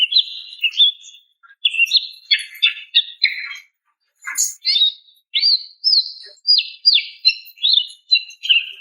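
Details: Female greater green leafbird calling to a male, used to stimulate stressed or silent males: varied bright chirps and short whistled notes, some buzzy, in quick bursts with brief pauses, fairly high-pitched and clean.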